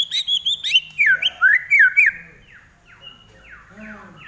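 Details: Lively song attributed to a common iora: rapid bursts of high chips, then loud looping whistled notes swinging up and down, fading into softer descending slurred whistles.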